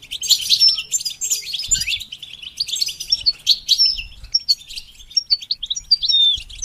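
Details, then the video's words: Training the goldfinch to sing: a rush of scratchy high twitters gives way to spaced, clear whistled notes and little upslurs toward the end. "The basics of training the goldfinch to sing"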